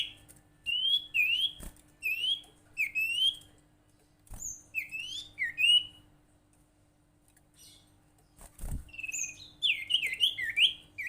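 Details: Lure call of the sirtu or cipow, the common iora, to make others call: repeated paired upslurred-and-dropping whistled notes in bursts separated by pauses, a few thumps, and a quick closing flurry.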